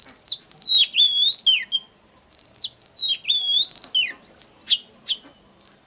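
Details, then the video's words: Oriental magpie-robin song used as a lure: clear, pure whistled phrases with long falling slurs, repeated twice with a pause, followed by sharp separate chirps. "Chòe than Hót || Kích HÓT CỰC XUNG || Tiếng than MỒI GỌI BỔI"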